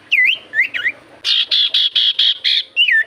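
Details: Common iora lure song to get other birds singing: dipping whistled notes, then six evenly spaced harsh buzzy pulses and a final looping whistle.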